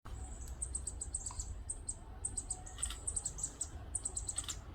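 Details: Northern parula fledgling at Lettuce Lake Park, Tampa, Florida, on 2 May 2022: very high, thin chips in quick bursts of three to five notes, repeated through the recording over a steady low rumble.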